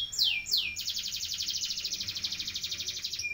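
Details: Canary ngeroll song for tutoring other birds: two high descending sweeps, then a fast, dense, buzzy rolling trill that runs steadily to the end.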